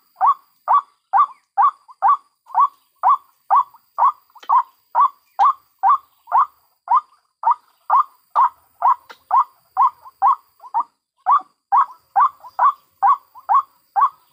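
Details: White-breasted waterhen recorded in the wild, adults and chicks, as a trapping lure: a long, steady series of short, rising, croaking notes, roughly two per second, very regular throughout.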